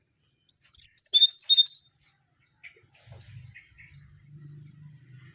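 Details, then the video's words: Mangrove whistler song: a quick run of about eight sharp, ringing whistled notes stepping down in pitch, followed by a few softer, lower notes and a faint low hum. "Kancilan Bakau Gacor"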